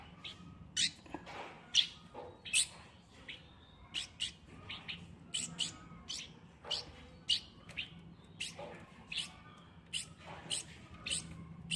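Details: A hand-raised, three-week-old Light-vented Bulbul that treats its keeper as a parent gives sharp, high chirps in quick bursts, about one or two a second, over a low indoor hum. It calls loudly and shakes its wings when hungry.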